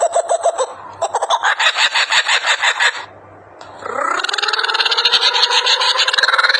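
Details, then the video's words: Laughing kookaburra laughing: a fast run of harsh chuckling hoots, about three per second, a short pause, then a rising, rolling cackle building in loudness. "kookaburra laugh"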